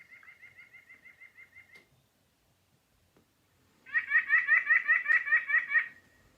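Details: White-breasted Nuthatch, a winter bird at Sutton, Québec, giving rapid runs of nasal, laughing notes, about eight per second: a softer series, a pause, then a louder run.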